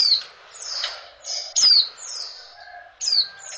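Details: Female oriental white-eye giving calls to bring males into breeding condition: three sharp, high descending squeaks with softer thin trailing notes between them.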